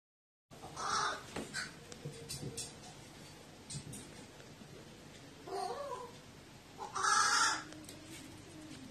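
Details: Crow calling when lonely with an oddly quirky voice, recorded 20 January 2018: three drawn-out, hoarse, nasal calls with a wavering tone, spaced several seconds apart over steady low background noise.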